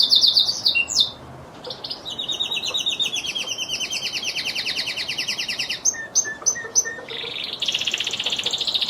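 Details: Lizard canary song with rapid repeated high notes forming long rolling trills, broken by short chirps and then a fast buzzy phrase.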